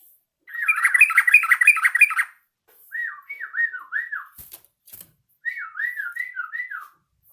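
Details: Yellow-vented bulbul practising its song, giving a loud rapid run of bubbling, harsh chatter before looping, wavy whistled phrases repeated in two bursts.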